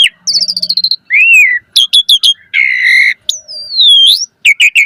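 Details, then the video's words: Asian pied starling singing a varied, phrase-rich song used as a lure and training track: a quick rattling series, then an arching whistle, bright chips, a buzzy sustained note, a long descending whistled slur and final sharp chirps. "Pancingan Jalak Suren Gacor Auto NYAUT Cepat MOMPA - Masteran Burung Jalak Gacor Full Isian Mewah"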